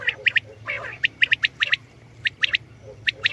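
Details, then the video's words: Common quail call heard as short, bright notes grouped in quick threes, each group separated by a brief pause, with a soft, rasping sound early on and low background hum. "Common Quail Sound 2020 | Common quail Calling"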